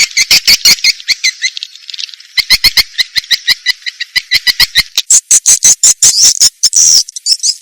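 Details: Swiftlets in an Indonesian 'sp kompak' recording shared for swiftlet farmers: rapid dry clicks mixed with bursts of high, buzzy chirping, ending in a shrill rising twitter among more clicks.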